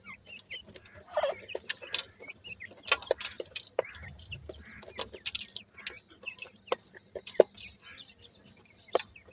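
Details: Sindhi teetar (francolin) chicks peep with high, short upslurred notes at irregular intervals, accompanied by many loud clicks and taps and a brief low murmur.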